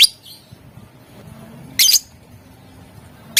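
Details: Lovebird singing to provoke rivals into answering, in chattering styles known as ngetik and ngekek; a sharp high chirp at the start, a loud burst near two seconds, another at the end, over low steady hum.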